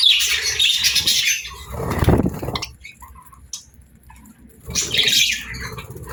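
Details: A pet parrot in the morning gives a burst of shrill squawks, then falls quiet among muffled low handling noises. A second scratchy burst of calls follows about five seconds in.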